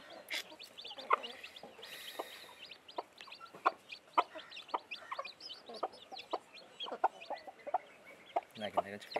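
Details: Newly hatched chicks beside a blackish hen, a dense scatter of brief sharp peeps and chirps overlapping from several birds, with occasional lower clucks and a short burst of hiss near the middle.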